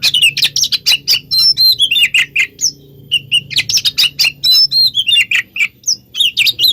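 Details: Song of the oriental magpie-robin, mixed as a lure to draw replies from other magpie-robins: a fast run of sharp chirps, bright whistled slurs and scratchy notes, packed closely with almost no gaps.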